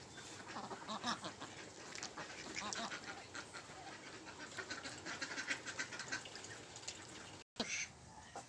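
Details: Many ducks at a pond, a mix of Mandarin ducks, mallards and Pekin ducks, quacking in dense overlapping bursts. The harsh, broadband calls run almost without pause for about seven seconds, then a short gap and a few last quacks.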